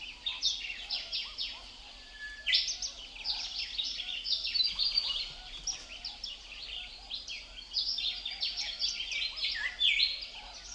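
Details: Birds chirping amid wind blowing through leaves: dense, overlapping bursts of high, sharp chirps and short trills continue throughout, several callers at once, with brief louder flurries around the third and tenth seconds over a faint low rustle.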